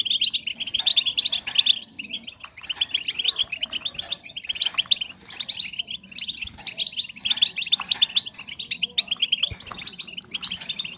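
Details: Several seconds of female European goldfinch calling, meant to raise breeding condition in males: busy, high-pitched chattering twitters in overlapping runs, with brief pauses between bursts and a soft low background hum.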